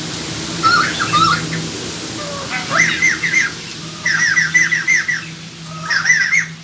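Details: Decoy song of the white-crested laughingthrush, played to draw wild birds close: separate bouts of rising, slurred chattering notes with short whistles between them over a low steady hum.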